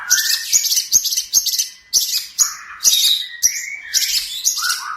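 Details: Long-tailed shrike master song for training birds: bright, scratchy high phrases roughly once a second, with a few lower whistled slurs between them.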